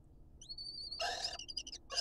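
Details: Lesser kestrel pair courting inside a nest box on a live camera in Israel, with rival females contesting the box: a thin steady whistle, then a loud harsh rasping burst and short chattering notes, over low background hum.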